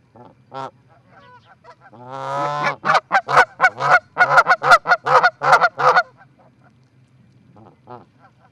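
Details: Two Canada geese visiting an osprey nest at Charlo, Montana, on 4-7-18, giving loud nasal honks: a rising drawn-out call, then a rapid run of about ten harsh honks over three seconds, with fainter single honks before and after over a steady low hum.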